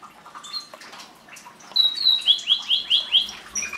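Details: Canary song: soft scattered chirps at first, then a clear run of about six repeated downslurred whistled notes, each roughly a quarter second apart.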